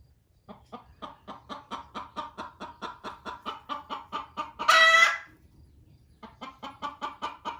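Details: Hen clucking in a barn while another lays an egg: a long series of even clucks climaxing in a harsh squawk, brief silence, then clucking resumes.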